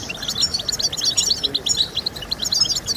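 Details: Goldfinch song meant to stimulate singing: loud, close, rapid tinkling twitter of high bright notes, chirps tumbling one after another in a dense, musical run.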